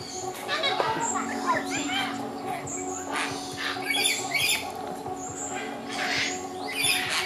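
A sun conure gives harsh, raspy squawks and chattering bursts, several in quick succession, over a steady low household hum and what may be faint human voices.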